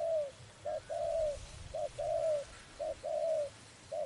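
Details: Spotted dove in a trapping setting, calling in regular paired phrases: a brief coo leading into a longer, level, slightly falling coo, about three phrases in four seconds.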